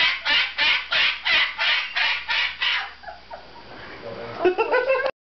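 A Moluccan cockatoo gives harsh, raspy screeches, about three a second for three seconds, then falls quiet amid soft rustling before a brief burst of chatter.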